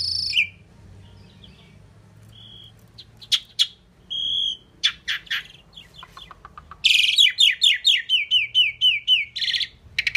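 A pied myna gives a jumble of high whistles and sharp clicks, then a quick run of about ten falling chirps, with no clear words.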